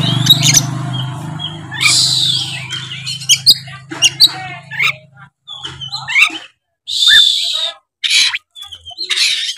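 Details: Oriental magpie-robin in aggressive 'gacor narung' singing used to set off rivals: harsh hissing squawks over a low hum, followed by clipped whistles and rasping bursts separated by short silences.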